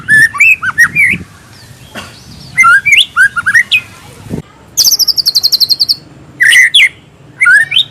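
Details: Captive white-rumped shama singing a rich mimicry-filled song: fluty warbled phrases, a rapid high rattling trill, then more looping whistles.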